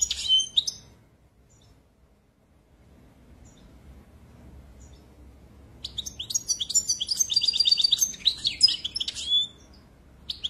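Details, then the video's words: A brief twitter, then several seconds of near silence, before a goldfinch bursts into rapid, high, jingling song with buzzy rattles and sweet chirps, repeated quickly. "Très beau Chant"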